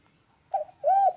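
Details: Two mellow spotted dove notes sound loud and clear: a soft wavering opening note and then a smooth, arched, sustained coo.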